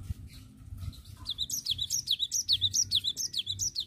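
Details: Rapid rolling song of a cinereous tit: a steady train of high, sharply falling whistled notes about twice a second, building after a quiet start with faint low hum beneath.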